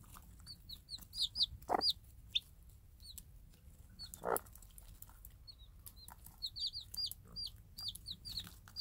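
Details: Day-old Minorca-cross chicks with their mother, a tame free-range game hen, as she drops food for them. Bursts of shrill, quick peeps come at the start and the end. Two short, harsh lower sounds break in between.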